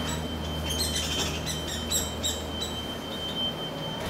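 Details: A juvenile Hairy woodpecker (Dryobates villosus) on a railing gives begging calls to its father as he feeds it: a run of harsh, high squawky chatters over about two seconds, then quieter, with a steady low mechanical hum throughout.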